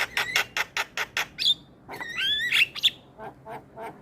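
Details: Starling song played as a lure to set off other starlings and make reluctant birds sing, with quick rasping notes repeated several times per second, then sliding whistles rising and falling, and a few softer chucks at the end.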